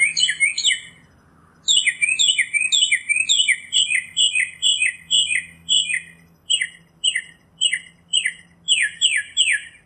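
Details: Northern mockingbird pouring out rich multi-note phrases repeated in quick succession, each a short descending chirp cluster, with a brief gap after the opening phrase.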